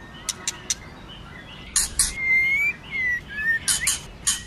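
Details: Female white-rumped shama singing in a wild, forest-style voice to stimulate a male. A few sharp clicks come first, then harsh scratchy bursts and clear whistled notes that slide upward and downward.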